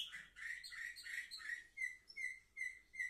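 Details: Canary song from seven-month-old young birds filmed on 10 November 2023: a fast rolling trill gives way to clear whistled notes repeated roughly four times a second.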